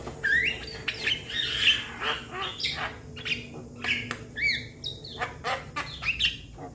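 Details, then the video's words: Javan myna youngster calling its companions, giving a chattering mix of short rasping squawks, clicks and bright rising whistles, delivered in irregular bursts throughout. "Jalak kebo Muda Memanggil Kawan Suara Asli Jalak Kebo"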